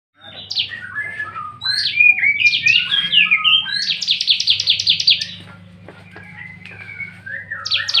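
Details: Bar-winged prinia singing actively after release from its cage: high, sharp chirps and sliding notes, then a fast run of about a dozen repeated descending buzzy notes, with later scattered chirps over a steady low hum.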